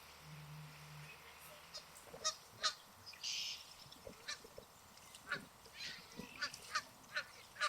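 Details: Canada geese swimming on a lake, honking to each other; a steady string of short honks amid hissy background noise, with a low hum near the start.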